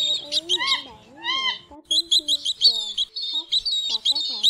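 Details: Indian pheasant-tailed jacanas, a male, a female and chicks, give nasal mewing arched calls, then rapid overlapping high ringing notes. It is a 2024 migration-season recording used as a lure for night net trapping.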